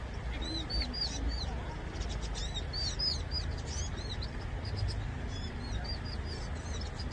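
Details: Vinous-throated parrotbill. Many short, high, arched chirps come in rapid chattering runs throughout, with brief pauses between bursts, over a low background hum.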